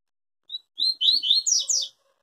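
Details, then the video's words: Yellow-bellied seedeater singing the Tui Tui song style, described as pure and never breaking in song: a short high note, then a rapid run of buzzy, slurred, rising-and-falling phrases that end in brighter, higher notes. "Papa Capim Tui Tui zero zero puro"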